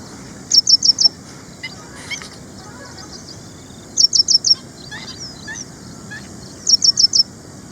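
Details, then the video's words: Ashy prinia, common in garden nurseries and farmland in India, gives three spaced bursts of four rapid, high, ticking notes, with a few softer lower chirps between them. "BIRDS: ASHY PRINIA | ASHY WREN-LARK"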